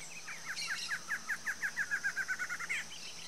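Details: ['A Barred antshrike pair sings together in Brazil: a rolling series of nasal notes that speeds into a fast rattle, then ends in a sharp upturned note. A faint high buzz continues behind them.']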